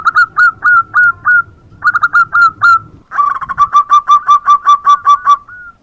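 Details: Zebra dove (perkutut), heard calling every morning: two short bursts of four or five slightly rising, mellow coos, then a longer stuttering run of about twelve rapid coos at one pitch, over a low background hum.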